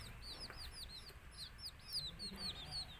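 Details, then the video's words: Baby native country chicks chirp in a quick overlapping flurry of piercing, high, arched peeps, some sharply downslurred, over quiet low background rumble. "Cute Baby Chicks Chirping Sounds"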